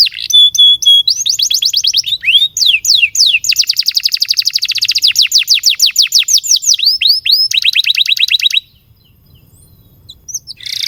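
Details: Canary song for teaching young canaries and stirring stalled ones: a few steady whistles, then a long rolling series of quick upslurred notes lasting about seven seconds before falling silent.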